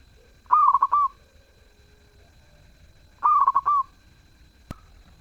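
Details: Zebra dove in full, melodious song: two cooing phrases about three seconds apart, each a quick series of bubbling, trilled notes ending in a slightly rising coo. A sharp click follows near the end.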